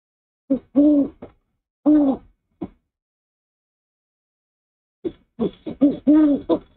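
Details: Male owl standing at the nest after bringing a rat for his mate's breakfast, morning of 04/06/23. Deep drawn-out hoots with short clipped notes, a long silent gap, then a quicker cluster of hoots.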